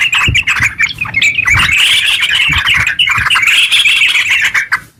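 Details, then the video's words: Sooty-headed bulbul singing fast, long 'ngeropel' phrases meant to trigger song in other bulbuls; chattering whistles run in bursts with brief dips, some soft knocks in the background, fading at the close. "TERUCk gacor ropel panjang buat pancingan terucu biar bunyi"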